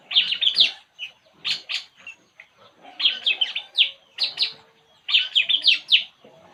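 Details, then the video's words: A relaxed puling bird gives rapid, high squeaky chirp phrases. Each lasts under a second and is separated by short pauses, with about five bursts in total. "burung puling. Inilah yg dilakukannya saat santay"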